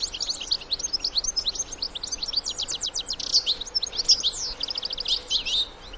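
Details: European goldfinches, adults with fledged young in the wild, singing a dense chattering twitter. Fast runs of ringing high notes mix with short trills throughout.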